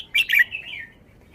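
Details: Red-whiskered bulbul, a caged bird shown for its song style, gives a brief loud phrase of two quick bright notes that slide into a falling, slurred whistle, then trails off.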